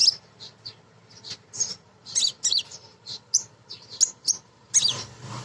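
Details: Female Crimson Sunbird song, meant to lure birds into singing. A busy stream of high, squeaky chirps and thin twitters, uneven in rhythm, with a low background rumble.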